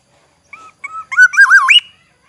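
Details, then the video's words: Black-naped oriole from Aceh, a forest oriole, giving a song variation: two short whistled notes, then a loud rolling, wavering fluty phrase that climbs to a high end note. "variasi kicau kepodang Aceh, Suara khas kepodang hutan, Black naped oriole."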